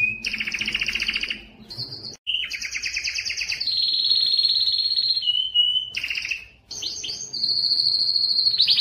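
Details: Excited canary singing to mate: rapid rolling trills broken by short pauses, then long steady whistled notes held at one pitch, loud and clear with faint low background hum.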